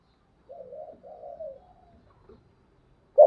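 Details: Decoy spotted dove calling to lure wild doves into answering. Soft, low, drawn-out cooing notes with a slight fade, then a sharp loud single coo note near the end.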